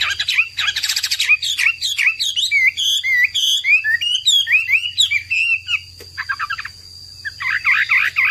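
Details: Chinese hwamei, known as wambi, a popular cagebird, in nonstop song: dense, rich outpouring of rapid twisting whistles and chattering bursts, a brief pause, then loud looping notes, over a steady high tone and low hum.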